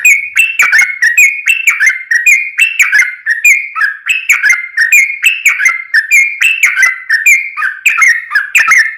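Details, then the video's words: Yellow-vented bulbul singing a long rolling lure song: a continuous run of loud, bubbly whistled notes see-sawing between higher and lower pitches, delivered briskly and evenly, with no other sounds. "SUARA trucukan gacor ROPEL PANJANG pancingan trucukan agar bunyi"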